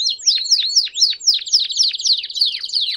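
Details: Belgian canaries singing together to encourage a canary's song: loud descending swooping notes repeated about four per second, merging into a fast trill, then more swoops.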